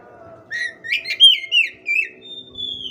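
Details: Oriental magpie-robin song: a series of rich fluted whistles rising and falling in pitch, ending in a long, clear, level whistled note, with faint low humming beneath.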